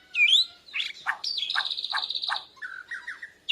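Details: Young Borneo white-rumped shama learning to sing, reacting to a lure recording with chest feathers fluffed: a sharp rising whistle, a sustained high note cut by dry clicks, then a low buzzy trill.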